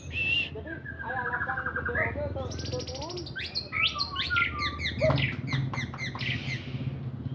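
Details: White-rumped shama in full song, a varied run of clear whistles, slurred rising and falling notes and quick high trills, with faint background murmur.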